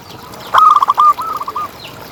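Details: Local zebra dove kept for contests, a training tutor recording: one phrase of quick staccato coos, a loud run of notes then a softer trailing series at the same pitch, with light background noise.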